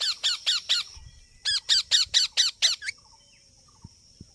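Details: Rose-ringed parakeet, a green ring-necked talking parrot, letting out harsh, strident squawks in two rapid bursts of evenly paced repeated notes, about two per second. Faint low knocks follow.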